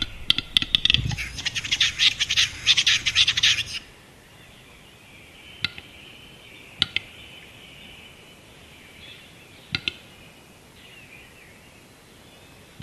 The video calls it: Глухарь на току. Capercaillie lekking.